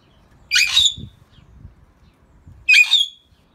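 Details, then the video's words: Greater hill mynahs, kept as a talking pair, give two loud rasping bursts about two seconds apart, each finishing in a brief clear whistle, over faint low background rumble. "Talking greater hill mynah birds"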